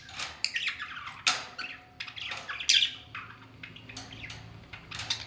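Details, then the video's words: Two pet talking parrots in a cute fight, giving harsh broadband squawks and screeches in irregular bursts, some loud shrieks standing out, with quieter chattering between and a faint background hum. "Dono 🐦🦜 Ki Cute Si Ladai ll Talking Parrot 🦜"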